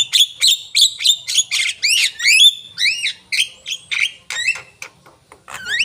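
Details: Javan myna in lively song, giving clear upslurred whistles and squeaky, warbled phrases between short harsh chacks, in a quick, irregular sequence that thins out toward the end.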